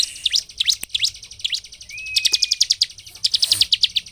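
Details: Bar-winged prinia in vigorous song, used as a lure to rouse other prinias into singing: dense high chirps with quick downward-sweeping notes, then fast rattling runs of repeated notes, with a brief thin whistle midway.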